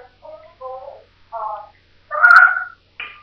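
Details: Pet African grey parrot at play, producing a string of short, tonal, speech-like syllables with rich harmonics, several mid-pitched notes separated by brief pauses, ending in a louder, harsher burst and a final clipped note.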